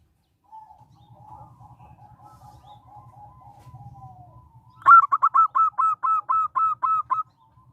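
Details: Local zebra dove, used to draw other doves into song and as a lure: quiet rolling coos over a low rumble, then nine loud, clipped notes repeated rapidly.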